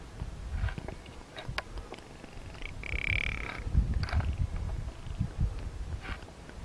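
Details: A small group of Rock ptarmigan in breeding season on the Iberian Peninsula give low, dry, croaking rattles in short bursts, with one brief higher whistled note and a rumble of wind underneath.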